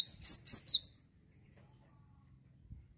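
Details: Java sparrow song meant to provoke rivals: four quick high whistled notes in the first second, then near silence with one faint thin descending whistle and a soft thump.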